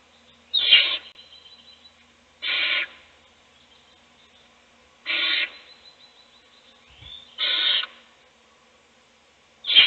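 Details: Nest-box owls during a feeding, one chick fed while siblings sleep; five short, harsh breathy hisses at irregular intervals of about two to three seconds over a quiet background.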